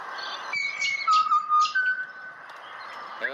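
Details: Australian pied butcherbird invited to have a sing: one sustained high whistle, then lower level fluted notes and a soft rising tone, with light chirps of other birds and a voice at the close.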